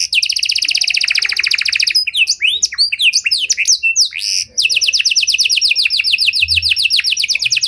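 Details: Panda canary performing a luxurious cengkok song for luring and training other canaries: a loud fast trill, a cluster of crisscrossing swooping whistles, a short buzz, then another long rapid rolling trill.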